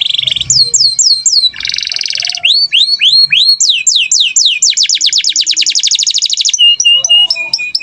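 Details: Indonesian kenari gacor canary delivering standard cengkok song: a buzzy rattle, rising whistled slurs, a long rapid trill of repeated notes, then short clipped chips over a steady whistle.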